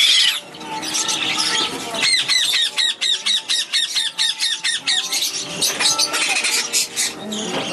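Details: Young black-headed caique chick, about a month and a half old, being fed in a shop: a steady run of harsh, rhythmic squealing begging calls, roughly three per second, amid background chatter and other bird noise.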